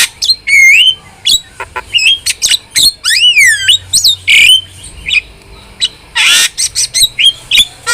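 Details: Vocal starling performing a varied stream of notes for caged-bird training: looping whistles, falling slurs, clipped harsh calls and one loud raspy burst, delivered in quick succession with brief gaps.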